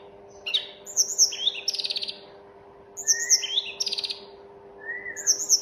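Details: Mountain tledekan (Sunda robin) repeating a short phrase about every two seconds: thin high slurred whistles leading into a rapid buzzy rattle, each phrase ending on a soft lower whistle, over a faint steady hum.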